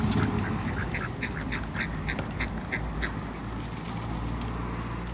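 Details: Short, evenly spaced soft calls come from two Muscovy ducks at play with water in a backyard, heard against a loud low rumble and light splashes.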